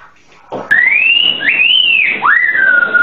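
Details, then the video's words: White-rumped shama singing clear, pure whistled phrases: a long rising-and-levelling whistle, a second arched note, then a swooping note that dips and settles into a steady tone, all following a brief soft lead-in. "SUARA BURUNG MURAI"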